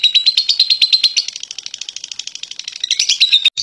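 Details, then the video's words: Lovebird giving a clear ngekek, a fast chattering trill of sharp high notes packed about three per second, opening and closing with brief steady whistled tones. "Burung Lovebird Ngekek Jernih Pancingan Buat Lovebird Ngekek Panjang"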